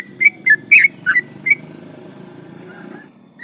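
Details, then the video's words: Yellow-vented bulbul singing to goad rival birds: a short phrase of warbling, slurred whistles over a steady low background drone, then quiet with one last note. "trucukan gacor ropel panjang bikin emosi lawan"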